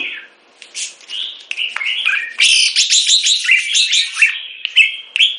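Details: Caged Singapore-kept red-whiskered bulbul, molting and on bird food, singing a fast, continuous run of bright, varied whistled and chirping notes that jump up and down in pitch with few pauses. No other sounds are heard.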